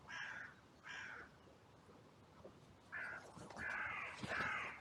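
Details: A crow outcry in a cemetery on a bright day, recorded by a trail camera as birds rushed in after two crows fought. Two harsh caws, a pause, then overlapping rasping caws from several crows.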